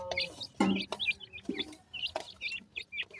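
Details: Playful black francolin chicks peep in quick, uneven bursts of high twittering notes, broken by a couple of louder, lower thuds and soft rustling.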